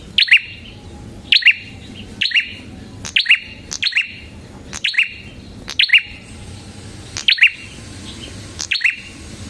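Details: Energetic red-headed prinia song for luring prinias and tutoring songbirds: a steady series of bright, high chirps, each a quick descending double note, coming roughly every second for the whole stretch.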